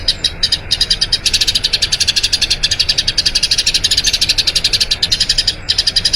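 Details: Eurasian tree sparrow pouring out a long rolling song for training other birds: a fast, nearly continuous chain of bright chirps, roughly five a second, with a couple of short breaks.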